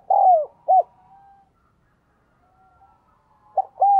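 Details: Spotted dove used as a decoy, cooing to call in wild doves: a loud falling coo and a short arched note, a quiet pause with faint hum, then two more coos at the end.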